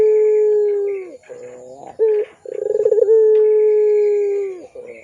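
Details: Barbary dove of the pelung coo style, used as a lure to tutor young doves: a rolling pulsed onset swells into a long, steady, mellow coo that drops at the end, then a short break and another long coo.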